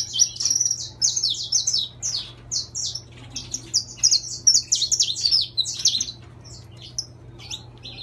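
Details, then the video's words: Caged saffron finch, bright yellow, sings a long run of high, bright chirps, quick and irregular, building into a dense burst before tapering to scattered notes; low electrical hum beneath. "Canário da terra Amarelo Intenso cantando!"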